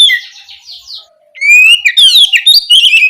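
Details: Oriental magpie-robin at night, its song used as a lure for young spotted magpie-robins. Soft, faint chattering notes give way to a loud, clear phrase of rising whistles and quick warbled trills.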